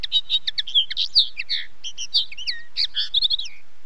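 Common linnet singing a fast, twittering run of varied chirps, trills and short nasal notes, high-pitched and continuous for several seconds.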